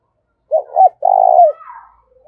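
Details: Decoy spotted dove calling to draw wild doves in fast. A pair of short coos and a long trilled note, followed by a fainter, higher, softer sound.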